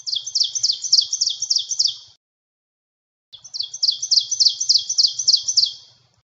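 An ovenbird sings two rapid bouts of ringing, two-part 'teacher' phrases, about eight per bout. Each bout starts soft and swells louder toward the end.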